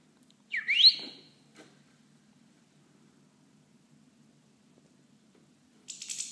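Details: Indoor pet European goldfinch, pecking its owner and eating lettuce, utters one quick rising, whistled call note, followed by silence and then a short burst of high scratchy noise.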